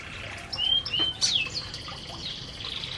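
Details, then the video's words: Canaries eating in an aviary give a few clear, thin whistled notes, some flat and one sliding downward, in quick succession, followed by a faint sustained high tone and light background noise. "Burung Burung Kenari Sedang Makan Di Aviary"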